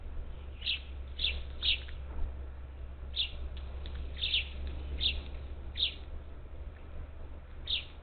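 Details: Parakeets at a Gulf Coast bird feeder on the outskirts of Houston, Texas, on 27 July 2021, up to ten birds present; short sharp high chirps, singly or in quick pairs, scattered across the recording over a steady low hum.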